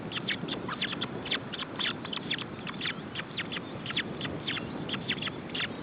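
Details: Nestling ospreys being fed, June 2012: brief high chirps falling in pitch, repeated irregularly about twice a second throughout, partly buried in constant low-frequency noise from the nest camera feed.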